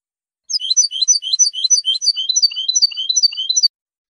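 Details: European goldfinch, clean-style song: a rapid, continuous run of high tinkling twitters, fast liquid notes repeated over about three seconds in a clean, quiet recording.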